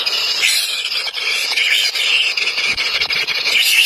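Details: Hungry baby birds, three chicks, keep up a continuous shrill squealing, high and strained, swelling and dipping slightly in loudness without any pause.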